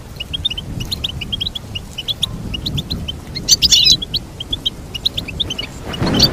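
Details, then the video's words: Steady run of quick, high goldfinch chirps repeated at a lively pace, broken by a louder chattering burst midway, with a low background rumble swelling near the end. "Teach your goldfinch to sing beautiful motivational songs"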